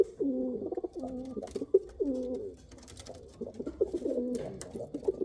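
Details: Rolling, deep coos from Kal Cheeni and Rampuri domestic pigeons, about four distinct bubbling phrases, each under a second long, separated by short pauses with light clicking noises.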